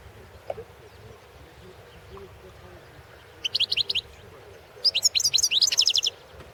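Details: Competition recording of a European goldfinch: after quiet background hum, a short series of high metallic twitters, then a longer quick rattling trill of sharp, closely repeated notes.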